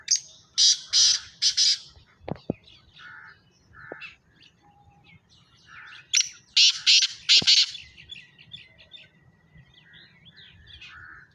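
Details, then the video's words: Two loud calling bouts of a black francolin (kala teetar), each three or four harsh, buzzy notes delivered rapidly, separated by quieter twitters of other birds, a few sharp knocks and a man speaking. "کالا تیتر کی آواز"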